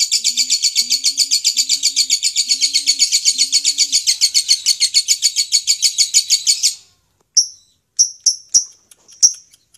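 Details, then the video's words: Lovebird 'ngekek' chattering used to set other lovebirds chattering: a long unbroken string of fast, shrill, buzzy notes lasting nearly seven seconds, with a few soft low tones beneath, then a handful of separate sharp chirps. "RAJA NGEKEK!!! suara ini DIJAMIN 100% bisa bikin LOVEBIRD ANDA NGEKEK NGEKEK"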